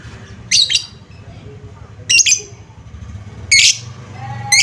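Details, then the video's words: Lovebird lure sound: four shrill, rasping chirp bursts about a second apart, over a noticeable background rumble. "Suara pancingan Lovebird"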